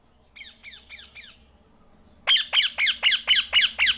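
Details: Tame pet Indian ringneck parrot in India, a talking bird: four softer harsh squawks, a short pause, then seven loud grating squawks at about four per second over a faint low hum.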